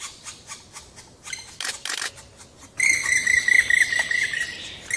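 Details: Black woodpecker family in a Trentino forest, Italy, in late spring 2018, with juveniles too weak to leave the nest; soft raspy notes, then a loud run of clear, slightly ringing whistled notes repeated about four times a second.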